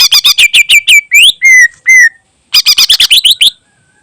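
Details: Greater green leafbird song with mimicked phrases, used as a training recording for other birds; loud rapid bursts of sharp high chips, two long sliding whistles, a pause, then another fast chattering burst.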